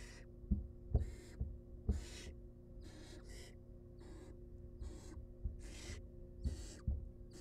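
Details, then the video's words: Feeding time for wild baby barn owls in a nest box: overlapping, rapid rasping hisses from the chicks, crowded together, punctuated by dull thumps and bumps. "Baby Barn Owls Get Fed"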